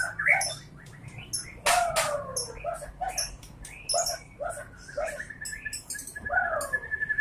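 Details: Song of a white-rumped shama: sharp clicks and whistles with long downward-sliding notes, then a sustained steady whistle near the end, over faint low hum.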